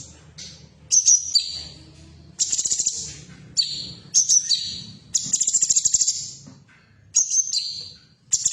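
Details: Female cucak cungkok bulbul, played to get caged birds singing: repeated high buzzy bursts with sharp whistled notes and stuttering pulsed rattles, about every one to two seconds, over a faint low background hum.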